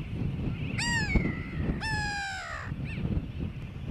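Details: Grey-backed tern on Johnston Atoll, recorded June 16, 2001: two loud nasal, downslurred calls, each under a second and rich in overtones, with a faint short call near the end over a steady low rumble of wind or surf.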